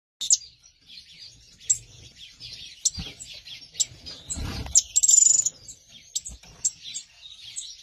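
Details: A newly paired couple of Gouldian finches give thin, high, sibilant chirps and short whistled notes in scattered bursts, with faint low rustling and bumps underneath.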